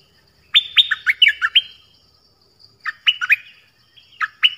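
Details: Dok Taeng bird giving varied song phrases: a fast run of about eight bright whistles, then a shorter phrase of four notes, and two more high whistles at the end.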